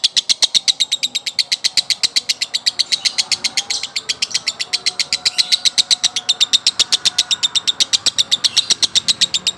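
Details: Male lovebird in a long-duration 'konslet' song: a fast, steady chatter of sharp, high-pitched notes repeated about four times per second for the whole stretch, with faint background noise.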